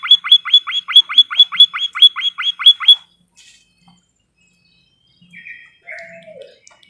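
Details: White-headed munia in a training recording for cage birds. About twelve sharp, upswept chirps with ringing overtones arrive in a quick, steady series over three seconds. Quieter scratchy notes and a lower, falling whistle follow.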